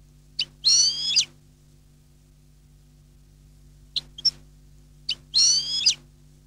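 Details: European goldfinch song, short bright phrases: brief high notes, then a fast twittering burst around one second long, a pause, scattered ticks, and another twittering burst, all very high-pitched, with a faint low steady hum underneath.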